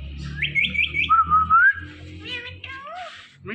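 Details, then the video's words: Indian ringneck parakeet kept as a pet, talking and whistling: a run of rapid, bouncy whistled notes, then a longer warbled tone and several chattering speech-like syllables, over a steady low hum. "The Best Talking Ringneck Talking Parrot"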